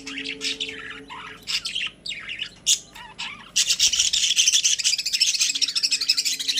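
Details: Caged pet budgerigars, several birds together, warbling busily: twisting high chirps and squeaks at first, then a dense, fast run of scratchy chattering notes packed tightly together.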